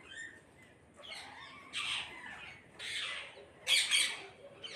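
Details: Parrots in a flock giving hoarse, drawn-out squawks, three broad harsh bursts roughly a second apart, the last one loudest, over faint background chatter.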